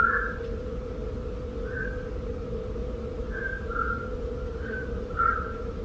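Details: Black-crowned Night Heron recorded from a balcony in suburban Barcelona around two in the morning, on nocturnal migration: about six short, hoarse mid-pitched 'quok' notes at irregular intervals, over a steady low background hum.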